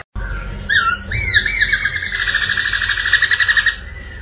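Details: Black laughingthrush singing in a cage to train and stimulate other birds; loud rising whistles then a long rapid rattling trill of repeated notes, with room noise underneath.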